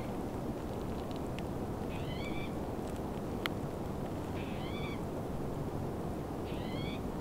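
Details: Trumpeter swan (Cygnus buccinator) at Upper Crescent Slough in the Squamish River Estuary gives three short bursts of nasal, horn-like notes a few seconds apart, over a steady low rumble of wind or water with one sharp click.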